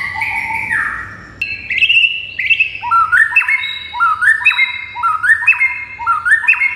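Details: White-rumped shama song used to provoke other shamas to answer and become agitated: a descending whistle, then rising two-part whistled phrases repeated about every half second, clear and ringing.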